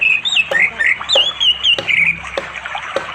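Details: Orange-headed thrush calling a female near a forest river in East Java, late afternoon, Android-recorded; a connected, wavering whistled phrase with rising and falling slurs, punctuated by sharp clicks and flowing water.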